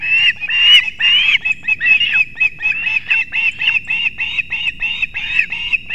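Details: Osprey calling at the nest in Kurzeme, Latvia, at dawn on 3 September 2024 while the male brings two fish for the young: continuous loud whistled chirps, about two per second, rising and falling slightly, with background hum.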